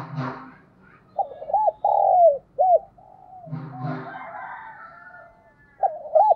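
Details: Spotted dove kept as a decoy, đồng-style voice mixing thúc and calling coos. Loud phrases of short notes, a long downward coo and a short note, with low thumping bursts and soft background cooing between.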